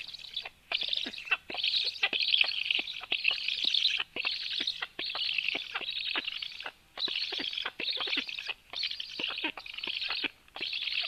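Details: At 13:06, with the female black woodpecker bringing plenty of food, rasping hissy calls come in bursts about a second long, separated by short silences, over faint tapping.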